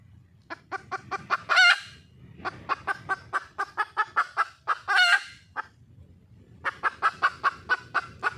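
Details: Junglefowl hen in the wild, calling to attract a male: bursts of rapid clucking broken by two loud rasping squawks, then another brisk series of clucks at the end.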